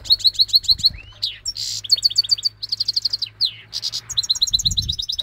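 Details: A goldfinch-canary hybrid on Syros sings a fast, high, twittering song of repeated chirps, trills and buzzy notes, with a faint low hum behind.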